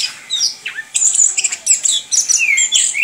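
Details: Orange-headed thrush in its 'ngerol' song style, a kept bird, pouring out quick high twitters, slurred whistles and a few falling notes in a continuous, rolling delivery.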